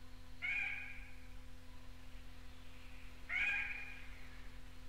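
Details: Red-necked rail (Rallina tricolor) in North Queensland tropical rainforest, likely Paluma Range north of Townsville, giving two nasal, harmonic, slightly falling notes about three seconds apart over a steady low hum; old cassette recording.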